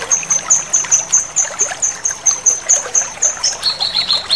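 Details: Crisp chattering from a male cucak kinoi: a steady series of sharp, high, ticking notes, roughly two per second, shifting to a lower repeated note near the end, with faint water trickling behind.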